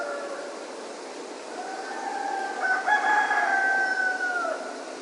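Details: Roosters at dawn in Ipanema: a distant crow early on, then a nearer long cock-a-doodle-doo rising and holding before dropping at the end, over constant broadband hiss.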